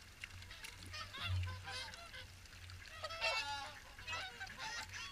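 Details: At the WWT Caerlaverock morning swan feed, several swans trade clear, ringing honks with strong harmonics, overlapping in loose bursts, with a light low thump early on.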